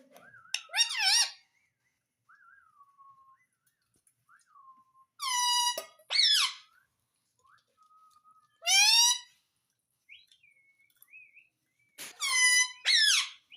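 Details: Pet parrot alternating loud harmonic squawks with softer whistled, speech-like phrases, several bursts spread unevenly with quiet gaps between them indoors.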